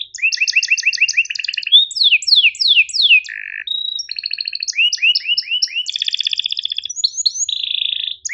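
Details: Canary master song with sharp, tight chirps: repeated rising two-part notes, descending whistled sweeps, trills and buzzy tones in a continuous, varied stream.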